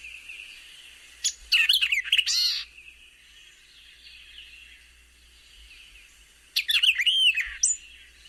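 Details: A White-eyed Vireo, summer resident in shrubby dense undergrowth near Cedar Hill, Texas, sings two quick, emphatic phrases of sharp chips and slurred whistles about five seconds apart, over a faint background hiss.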